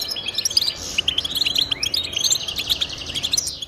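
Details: Goldfinches singing, offered as encouragement for pet goldfinches to sing; a fast, bright stream of high tinkling chirps and liquid twitters, several notes overlapping without pause.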